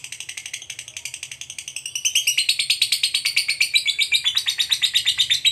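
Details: Lovebird of fighter type delivering a long 'ngekek' trill to bait other lovebirds: a quick rasping pulse train, around three notes per second, quieter for two seconds then louder and slightly higher, with a faint low hum beneath.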